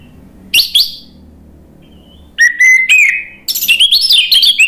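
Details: Anis merah, the orange-headed thrush, heard as song used to draw a bird into singing: a brief high double note, silence, then a steady clear whistle turning into a rising and falling warbled phrase.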